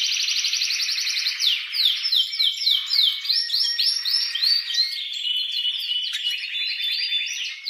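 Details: Excited male canary singing strongly to stimulate a female to mate. A rapid high trill leads into a series of swooping downslurred notes, then rolling buzzy tours that run on continuously.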